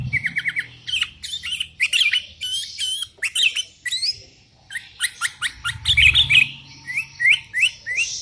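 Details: Wild sooty-headed bulbuls answer a bird calling rivals in a lively chorus: short rising whistles, quick trills and harsh squawks come thick and fast, over a brief low rumble.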